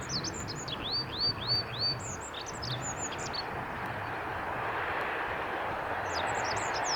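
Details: Olive-backed pipit on the Kirigamine Highlands, Japan, 15 July 2018, giving high sharp notes and a quick row of four arched, slurred whistles before the song fades, with steady rumbling noise growing louder behind.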